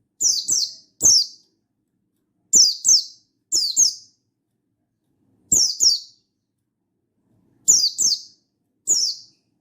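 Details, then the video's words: Mountain white-eye of the Buxtoni type singing in wild style (gacor ngalas), calling a rival, recorded 16/8/22: sharp high downslurred notes, mostly in pairs, delivered in about seven bursts with irregular gaps, faint low clicks beneath. "Burung Buxtoni Gacor Ngalas Memanggil Lawan"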